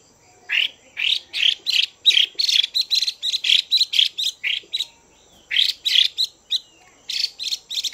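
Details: Female Chinese hwamei rousing males with a dense stream of harsh, chattering bursts, delivered in rapid rhythmic clusters with brief pauses between phrases.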